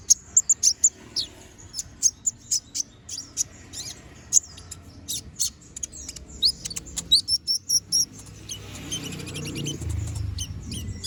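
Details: Brown-throated sunbird singing nonstop with sharp 'tembakan' notes, used to train other birds: a long series of piercing high chips and a quick rising run of notes, then low rumbling noise at the end.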